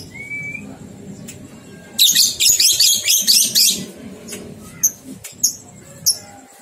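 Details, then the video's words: Lovebird ngekek from a training recording for two-month-old young birds: after a short thin whistle, a fast rattling volley of about ten harsh shrill notes lasting two seconds, then a few scattered squeaks. "Masteran Lovebird Paud 123 Ketukan Terbukti Ampuh Merangsang balibu 2 bulan Ikut Ngekek"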